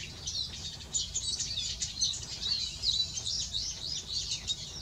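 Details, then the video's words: A male Eurasian siskin sings a continuous, rapid high twitter of squeaky, slurred and buzzy notes, tumbling on without pause for nearly five seconds over faint low background hum. "Male Siskin singing."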